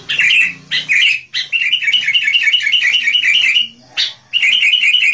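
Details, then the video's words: Lively sooty-headed bulbul song used to attract wild bulbuls: loud bursts separated by short gaps, including a fast run of evenly repeated bright chirping notes. "SUARA burunh KUTILANG GACOR. cocok buat pikat kutilang liar"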